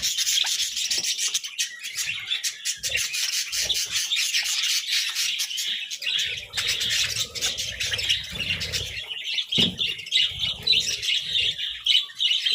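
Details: Budgerigars eating a meal of vegetables, a flock chattering nonstop: overlapping high twittering, rapid clicks and warbles, with soft low knocks and munching noises in the second half.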